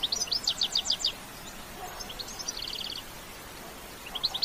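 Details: Spirited bitbita singing of a European goldfinch, no sound effects: fast repeated high trilled notes in tight runs, then a pause and a quicker buzzy trill, over low hiss.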